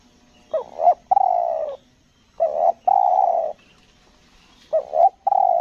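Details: Spotted dove kept to lure wild doves on Lombok, 'selang nguku gagap' song: three phrases, each a rising stuttered double note leading into a sustained low coo.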